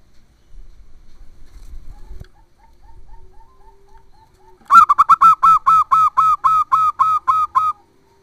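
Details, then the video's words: Zebra dove female calling for the male: faint rumbling and a thin distant whistle, then a loud, even run of about a dozen sharp, clipped, ringing notes repeated several times per second. "KUTUT MACET BUNYI LANGSUNG NYAHUT"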